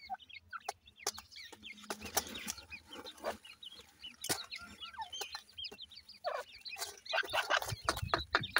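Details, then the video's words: Grey francolin chicks being fed chatter with dense, overlapping squeaky peeps and slurred chirps, alongside rustling and sharp tapping sounds. "grey francolin chicks nice voice"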